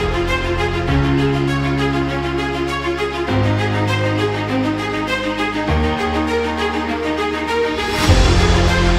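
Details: Instrumental music with steady low synth tones and a brief swell near the end, with no animal voices.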